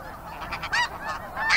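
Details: Snow geese calling from a flock: several short, nasal honks overlapping within under two seconds, the last ones louder and higher, over a soft steady background hiss.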